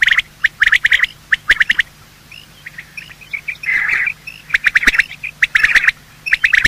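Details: Male and female quail giving morning calls, a recording meant for hunting: clusters of harsh clipped notes, a quieter run of soft chirps, then more rapid sharp groups.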